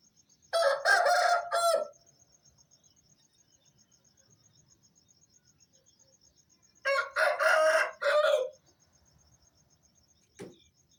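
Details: Farm Aseel rooster giving its early-morning wake-up call about 4:30 am: two full raspy crows about six seconds apart, each of several harsh segments, then a brief knock, over a quiet background of rhythmic insect pulsing.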